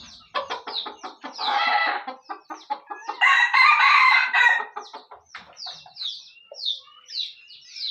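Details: Red junglefowl of Aceh with speckled burik plumage, crowing twice: a short raspy burst, then a longer, louder hoarse crow. Clipped clucks come between them and a run of high descending chirps follows.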